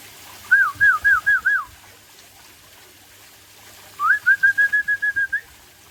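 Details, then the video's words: White-rumped shama, Aceh type, singing in the afternoon: two loud, clear whistled series, first five looping wavy notes, then after a pause about ten short level whistles in quick succession. "Murai Aceh"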